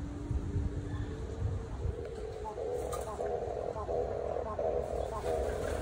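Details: Captive European turtle doves flying around their enclosure and courting give a low, rolling, purring coo in repeated pulses, over steady low rumble and background noise.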